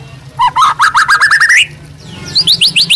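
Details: Caged white-rumped shama master song: a quick series of rising whistled notes that climb steadily, then a short run of high upslurred chirps, over a low background hum.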